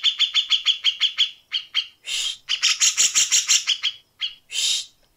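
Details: Grey-cheeked Bulbul gives a tight, fast, harsh song used as a tutor for contest birds: a rapid run of about eight clipped, high notes a second, then rough, buzzy rasping bursts in quick succession.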